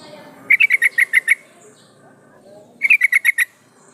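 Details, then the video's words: Female sooty-headed bulbul calling to attract a male: two rapid bursts of about seven bright, clipped chirps each, separated by roughly two seconds of faint background hiss. "suara burung trucuk betina memanggil jantan"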